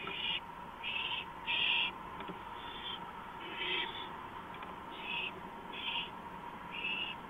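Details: Owl at 2:05 AM on April 5, 2015, on a porch, giving soft repeated hiss bursts roughly every half second to second, over a constant electrical hum.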